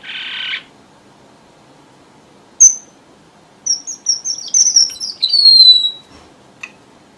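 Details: Red avadavat lure song for trappers. A short rasp, a lone high chip, then rapid sweet high whistles descending in steps to a drawn-out falling note, and a final soft click.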